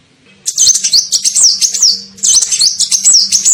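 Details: Kolibri ninja sunbird used as a lure to draw in birds, giving two long runs of shrill, fast chirps that flick up and down and trail off at the end, with a steady low hum underneath.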